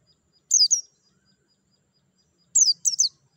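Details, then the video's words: White-eye, used to stimulate captive birds to sing: high, sharp descending chirp notes, one double note then a pair of quick doubled notes two seconds later, with a clean quiet background. "TERAPI PLECI MERANGSANG BUNYI CEPAT GACOR BUKA PARUH"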